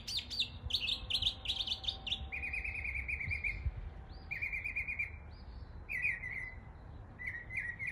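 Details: Mockingbird in East Tennessee imitating neighborhood birds, opening with repeated harsh, buzzy phrases, then switching to a steady rattling trill given in separate bursts about once per second.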